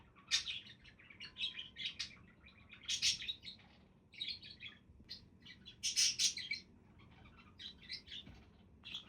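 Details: Lively budgerigar chatter: continuous stream of quick high chirps, squeaks and warbles in uneven bursts, loudest around the middle and two-thirds through.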